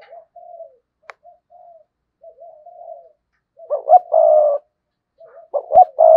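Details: Decoy spotted dove in sa gù and thúc bổi cooing: soft, drawn-out murmuring coos first, then louder rough coo notes with a long held final note near the end.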